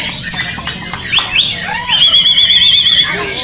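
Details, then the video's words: White-rumped shama singing during a simulated singing-contest training session: quick whistled phrases and slurred notes, then a long, high, rapidly warbling trill, with other birds calling and people talking in the background. "SIMULASI LOMBA MURAI BATU"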